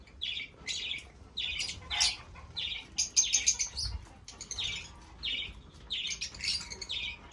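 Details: Fischer's lovebirds calling with shrill repeated chirps, a few higher squeaky notes mixed in, plus a faint low bump midway.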